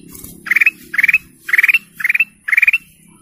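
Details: Golden canary singing five rapid rolling trills, each a quick string of pulsed notes rising slightly in pitch, evenly spaced about half a second apart.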